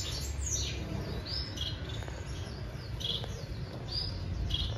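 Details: Breeding society finches give soft, high, scratchy chirps in loose bursts every half second or so, over a steady low hum.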